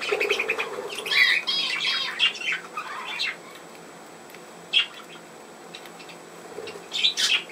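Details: Budgerigar warbling and chirping rapidly for about three seconds, then mostly quiet with one short chirp and a final burst of squawks.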